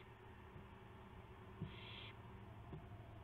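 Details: Owl at 12:25 AM on April 7, 2016, during gopher delivery with flapping and pouncing; a single harsh, noisy hiss lasting about half a second, with a couple of soft knocks and low steady hum.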